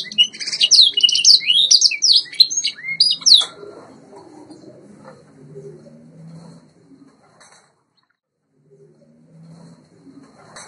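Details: A white Yorkshire canary sings a rapid, high run of varied trills and bright sweeping notes for about three seconds, then a soft low murmur and near-silence, as a song-training recording.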